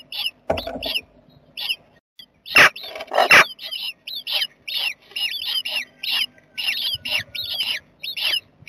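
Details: Jackdaw family in a nest box on 7 May 2020: many short, squeaky, chevron-shaped calls repeated irregularly, about eighty a minute, with two loud broadband thumps or scuffles near the middle and a low rumble early on.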